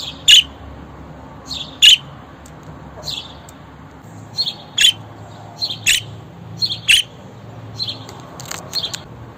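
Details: Budgerigar calling: short, harsh, high chirps repeated about once a second, some in quick doubled bursts, with brief pauses between them over a quiet background hum.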